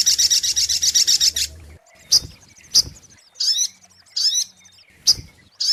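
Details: Brown-throated sunbird (sogok ontong) lure recording: a fast, buzzy high trill of rapid repeated notes, then sharp isolated chips and short twittering phrases with quiet gaps between them.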